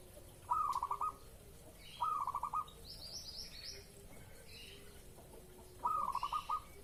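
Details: Zebra dove in breeding mood, cooing as a lure to draw a reply: three stuttering, rolling coo phrases, each a quick burst of bubbly notes about a second long, separated by pauses, with faint higher chirps between.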